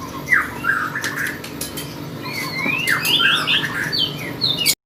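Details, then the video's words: Lovebird singing at a bird contest: a continuous run of harsh squeaky chirps and chattering notes, some sliding up and down, mixed with sharp clicks and rattles over steady background noise. "love bird gacor kontes"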